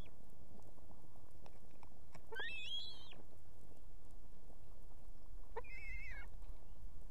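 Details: At a nest in Estonia holding two chicks, a female osprey calls for the male to deliver food: two loud, slightly wavering whistled squeals, the second lower, against continuous background noise.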